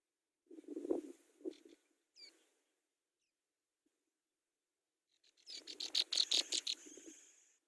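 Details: Brown prinia nestlings begging as they are fed: soft low rustling and a single rising note, then a loud, rapid series of high, piercing squeaks repeated about ten times in quick succession.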